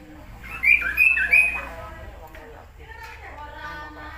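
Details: Tepus glagah (Kaso-kaso) singing energetically in Indonesia: three ringing whistled notes in quick succession, followed by softer, fading harmonic chatter over a low background hum.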